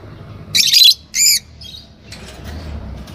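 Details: Green Fischer's lovebirds, a pair, letting out a rasping high chirp and a shorter second one, with faint softer twitters and low rumble afterwards.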